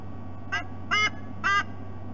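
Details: At night (8:09 p.m., 10 August 2020) on an Australian nest, a female white-bellied sea eagle guarding two eaglets gives three loud, nasal, goose-like honks after a small owl, thought to be a Southern Boobook, blunders into the nest, alerting her mate.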